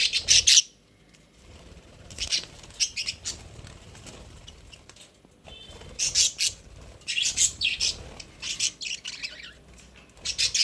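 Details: Pet budgerigars kept in a cage make sparse clusters of high, scratchy chirps, separated by long quiet stretches with faint background rustling.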